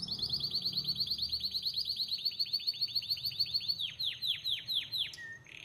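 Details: Singing Belgian canary delivers a long, fast, rolling trill of repeated high notes, then shifts to slower, deeper falling whistled slurs, ending on a brief sharp note. Faint low background rumble.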